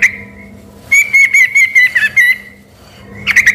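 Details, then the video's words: Yellow-vented bulbul singing energetically, once thought by excited residents to be a white-rumped shama. A long sustained whistle wavers through quick pulsed notes, then a short burst of chattering whistles closes the phrase over a low hum. "semula di kira suara burung MURAI BATU beneran eh ternyata cuma suara TRUCUK GACOR"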